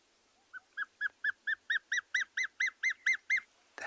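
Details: Dark chanting goshawk call played softly from a phone recording at sunrise on 19 July 2020, Tswalu Kalahari Reserve, South Africa, near an immature bird: about thirteen piping whistled notes, four a second, swelling and rising slightly, ending with a soft thump.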